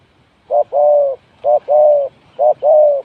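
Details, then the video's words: Spotted dove used as a decoy for trapping, giving a clear, mellow two-part coo, a short note followed by a longer drawn-out one, repeated three times about once a second in a quiet setting. "The Sound Of Spotted Dove is good"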